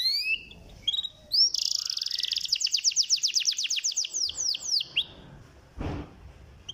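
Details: Canary song used as a lure to rouse lazy canaries into singing: rising whistled slurs, then a long fast trill of repeated downward-sweeping high notes, with a brief dull knock near the end.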